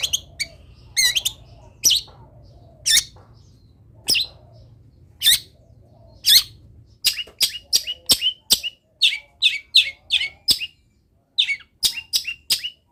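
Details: Long-tailed shrike in full, lively song packed with mimicked wild-bird phrases: sharp, harsh high notes in scattered bursts, then a quick run of clipped chips near the end, with a faint low hum beneath.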